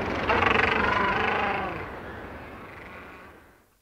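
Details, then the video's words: A close individual call from a macaroni penguin colony on Bird Island, South Georgia: a loud, harsh, pulsed bray with strong harmonics that gradually fades away over about three seconds, with a distant sea murmur behind it. "Macaroni Penguin / MCU Colony. Some CU Individual Calls."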